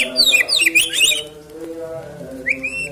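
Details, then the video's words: White-rumped shama singing, played to prompt a bird to sing ahead of a singing contest: fast, varied, tumbling whistles and trills, a quiet stretch, then a rising whistle, over soft low steady tones behind. "PANCINGAN MURAI BATU JELANG LOMBA KICAU"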